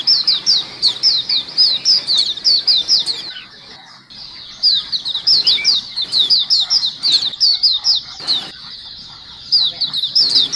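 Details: Lively white-eye flock chorus for luring: dense high chirps rapidly repeated, a brief near-silence around the middle, then the busy down-slurred twittering resumes, punctuated by a few sharp clicks.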